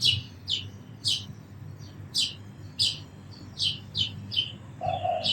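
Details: Crisp, high sparrow chirps repeated about twice a second, each a short downward flick, ending with a brief lower buzzy note.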